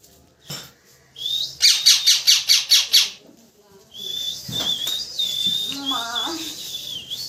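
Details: Parrot chirping: a fast run of about six loud, high, buzzy chirps, then a long wavering high whistle with a few lower warbled notes mixed in.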